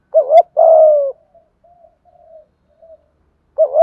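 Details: Spotted dove in 'thúc gù' style, a coo used to get wild and decoy doves calling: a doubled clipped note, a long gently falling coo, quiet faint notes, then another doubled note.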